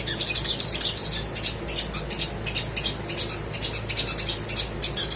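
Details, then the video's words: Crimson sunbird singing energetically as a prompt for birds that rarely sing: rapid, very high, scratchy chirps and ticks, tightly packed and steady throughout. "PANCINGAN SOGOK ONTONG GACOR DOR COCOK UNTUK BURUNG MALAS BUNYI"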